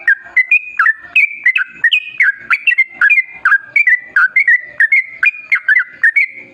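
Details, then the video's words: Yellow-vented bulbul in a long, rapid burst of song, meant to lure other bulbuls into singing. Lively warbled whistles run steadily, each note dipping and rising in quick succession. "Masteran Kicau Burung Trucukan Gacor Dor Pancingan Pikat"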